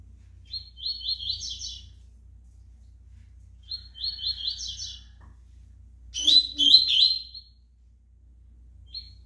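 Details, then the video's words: Brown-plumaged double-collared seedeater singing: short, high, buzzy twittering phrases about two seconds each, repeated after pauses, then a louder, sharper burst of notes, with a faint low hum throughout. "COLEIRO PARDO CAPONE SOLTANDO CANTO"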